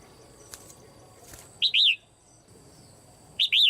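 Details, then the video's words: Red-whiskered bulbul female in a cage, calling to excite other birds into loud singing: two phrases of paired arched whistles, rising then falling, about two seconds apart, with soft clicks beforehand. "นกหัวจุก birds - เสียงนกตัวเมียร้องในกรงดีมาก กระตุ้นเสียงนกร้องแรง"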